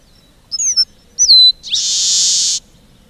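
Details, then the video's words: Red-breasted meadowlark (Leistes militaris) song: a few thin, high whistled notes, ending in a long, harsh buzzy wheeze about a second long. "Canto do Polícia Inglesa do Norte / Leistes Militaris"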